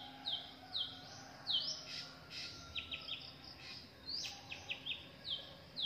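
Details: Drongo young and adults in the wild; irregular series of sharp high downslurred chirps and short clicks, with brief faint chatter.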